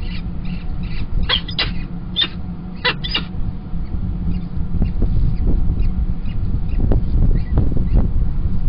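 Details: Peregrine chicks being fed in their nest at Kingston College, 28 April 2021, after the female replaces the tiercel at the feed: rapid clusters of shrill, rasping squeals for three seconds, then only constant low rumble with faint clicks.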